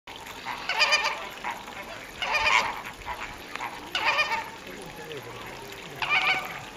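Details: Caribbean flamingos kept at WWT Slimbridge, recorded 4/5/2011: nasal, goose-like honking bursts roughly every one to two seconds, with quieter murmuring between them.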